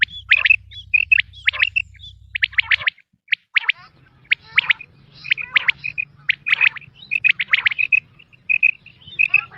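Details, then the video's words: Quail from a recording used in hunting: dense, clipped, high chirps and short trills in quick clusters. A low steady hum sits underneath, with a brief pause near three seconds. "sound of btair 2023/بٹیر کی لاجواب کیسٹ"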